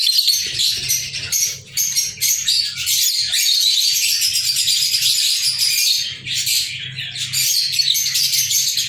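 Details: A group of pet lovebirds on 14 February 2023 keeps up a nearly unbroken stream of high, rasping chirps and twitters, with short dips in volume and a quiet low hum behind.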